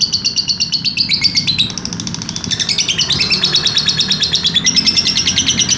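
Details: Continuous lovebird 'ngekek' trill, a master recording for training other birds: very fast high chirping in bursts whose pitch steps down and back up repeatedly, dense and unbroken throughout.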